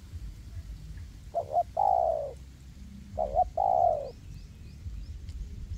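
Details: Caged spotted dove decoy calling in a forest to draw in wild doves for trapping: two clear coo phrases about two seconds apart, each a quick double note followed by a long, slightly falling hollow coo, with faint high chirps of other birds.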